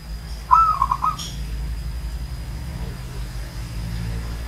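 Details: Single brief phrase from an aged zebra dove from Banyumas: a quick run of soft trilled coo notes, followed by a steady low rumble and a faint high whine.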